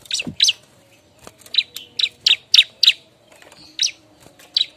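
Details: Bar-winged prinia seeking a mate gives quick, clipped, high chip notes in a fast, uneven series, with a short low sweep at the start.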